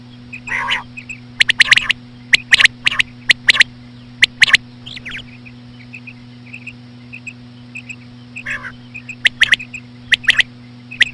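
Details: Slow female common quail sounds used by hunters: repeated clicky three-note phrases about once a second, scattered soft chirps, two warbling harmonic calls, and a continuous low hum.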